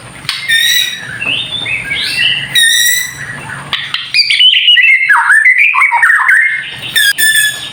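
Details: Kretekan-style White-rumped shama song for provoking other shamas, partly masked: softer high notes and low background noise early, then louder varied whistled phrases sliding down and up from about four seconds, with sharp clicks.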